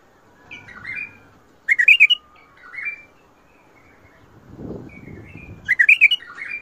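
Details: Bulbul singing Mandali and Badra style song: short warbles alternate with loud clusters of rapid whistled notes, repeated twice, with a low rumbling noise between phrases.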